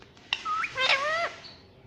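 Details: Talking pet Indian ringneck parrot repeating "mummy": a brief nasal utterance with a short rising note, then a longer, level, voice-like tone that ends abruptly.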